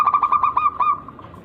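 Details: Local zebra dove from the wild with an unusual rare rhythm, singing to provoke rivals. A single short phrase of seven or eight rapid, rolling coo notes that fades out at the end.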